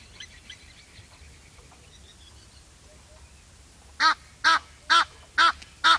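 Egyptian goose giving five loud, harsh, nasal honks about half a second apart, after four seconds of faint twittering from small birds.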